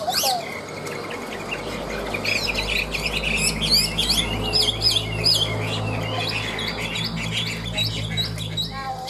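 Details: Ngũ trường Chinese hwamei kept caged, singing high: a long, fast medley of twisting whistles, trills and sharp chips, energetic and unbroken, over a steady low hum.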